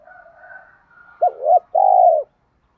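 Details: Spotted dove cooing, male and female birds used for training doves: a soft, faint murmur first, then a two-part hoot and a long, steady, vibrating coo ending abruptly.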